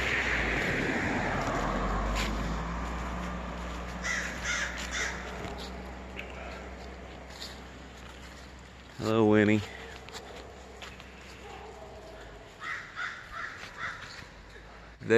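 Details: A mob of crows gives short bursts of harsh, repeated caws while attacking an injured Barred Owl out hunting, as a Doberman chases them off, with people talking and laughing nearby and one loud rising whoosh midway.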